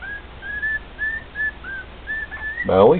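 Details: Indoors, a male cockatiel sings to two other cockatiels with evenly spaced, level whistled notes, each slightly rising, until a person's voice cuts in at the end.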